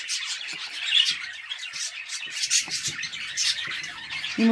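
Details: Home-bred budgerigars chattering indoors in Turkey: continuous busy warble of scratchy, buzzy squeaks and chirps, steady and unbroken, with a brief low voice at the very end.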